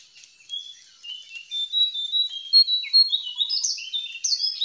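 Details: Wild jongkangan, a lure to make silent caged birds sing: a rapid, twittering series of high, thin chirps and short whistled slurs that grow louder and more varied toward the end, with no other sounds.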